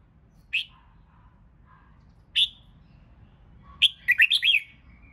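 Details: Red-whiskered bulbul song for pushing birds to sing in competition: two isolated sharp notes nearly two seconds apart, then a fast jumbled phrase of several bright slurred whistles, with a soft lower twitter.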